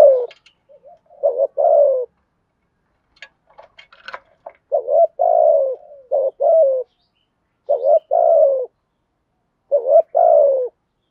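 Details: Thúc gù coo of a spotted dove, a call used to lure wild doves: a run of low paired coos, each a quick wavering note and a drawn-out descending one, with brief scratchy higher sounds midway.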